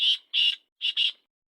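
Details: Black francolin in Sindh, Pakistan, giving harsh, grating notes in two pairs, the second pair quicker, then silence.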